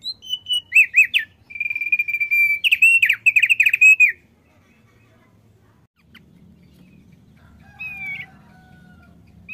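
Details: Male thick-billed white-eye, a cagebird singing often: a fast burst of high chirping, wavering notes around the upper register for about four seconds, then near silence with one later rising-falling whistle and faint low background hum.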